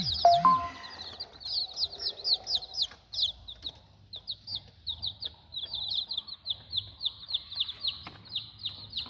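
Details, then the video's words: Village chicks, one week old, chirping steadily: rapid shrill peeps repeated several times a second, each sliding downward, after a brief lower, fuller sound at the very start. "Anak ayam kampung usia 1 minggu"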